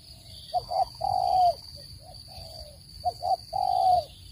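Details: Spotted dove call used to lure birds into traps: paired short coos followed by a longer falling coo, repeated twice, over a steady high electronic hum.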